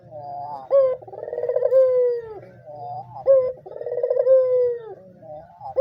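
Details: Persistent cooing of a white ringneck dove, meant as a lure, a model for young or reluctant callers, and a stimulus for male mating drive: each phrase a clipped note, then a bubbling, wavering purr sliding downward, repeating roughly every 2.5 seconds, faint low rumble behind.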